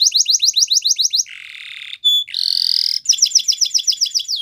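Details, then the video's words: Morning song of a yellow canary, fast repeated rising whistled notes, then a lower buzzy rattle, a brief pure tone, a rising buzzy trill and another run of quick sweeping notes. "Canary Bird Singing !! Yellow Canary Singing In The Morning"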